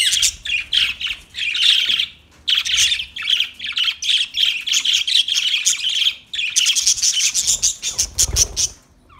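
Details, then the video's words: Budgerigar chirping steadily, a continuous stream of buzzy, rapid warbled notes in rhythmic bursts, ending in a string of sharp clicks and a soft thump. "Birds Singing Beautiful Budgie Sounds Parrot Talking voice"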